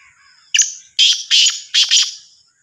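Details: Black francolin calling: a short sharp opening note, then two pairs of loud scratchy, creaking syllables, harsh and rhythmic, in a quiet setting.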